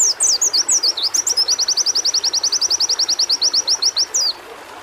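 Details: White-eye song played to stimulate singing: it opens with quick, varied, swooping high whistles, then a long rapid trill of identical short notes for nearly three seconds, closing with a falling slur.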